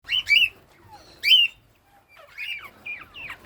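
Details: Northern bobwhite in breeding season giving bright, slurred whistled chirps in short bursts, about one per second, with a run of rising notes at the end; otherwise quiet.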